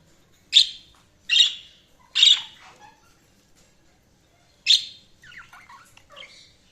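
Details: Budgerigars chirping: four loud, short harsh chirps spaced roughly a second apart, a gap, then one more chirp followed by softer twittering warble notes.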